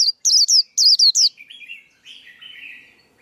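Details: Singing male white-eye, used to coach young birds and lure birds into traps; five or six high chirps sliding downward, followed by softer, lower, drawn-out buzzy notes.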